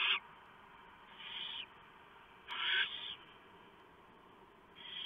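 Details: Barn owl nest at night during a prey delivery, owlets being fed: a few drawn-out harsh hissing screeches, irregularly spaced, over a steady low background hiss.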